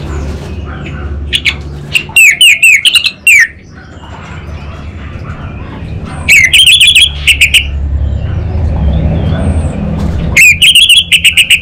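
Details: Orange-headed thrush (anis bata) from North Bali in full song: three loud bursts of piercing, harmonic whistled notes delivered in fast series, separated by quiet gaps with faint soft twitters.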